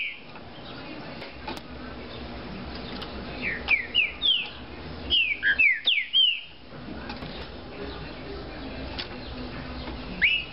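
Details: A captive green-winged saltator gives a burst of loud, clear whistled notes, each sliding downward, in a quick phrase, then a lone note later over a steady background hiss.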